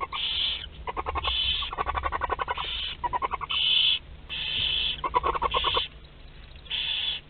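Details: Théding nest box barn owls, France, April 2021, while prey wanders inside: repeated breathy screech-hisses interleaved with fast rattling bursts of clicks, continuous and busy.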